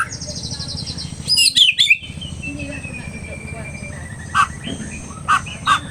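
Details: White-rumped shama in an agitated state: a loud cluster of sharp, ringing notes, then a long thin whistle and spaced single chirps, over constant low mechanical humming.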